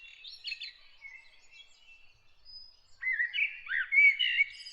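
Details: A bird sings at dawn; soft twittering notes at first, then after a lull a louder phrase of rising and falling whistled warbles.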